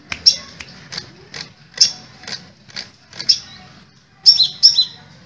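Crimson sunbird giving thin, high, sharp chips and short tinny notes in irregular bursts, roughly one every half second, with a faint low hum behind.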